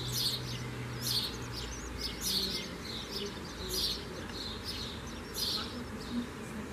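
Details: Common swift screaming repeatedly, with harsh shrill bursts roughly every second and wavering high squiggles between them, over a low background hum.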